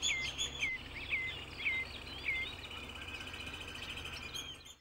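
Common Redshank giving five clear, downslurred piping whistles about half a second apart, with fainter chattering from other birds and a low background rumble.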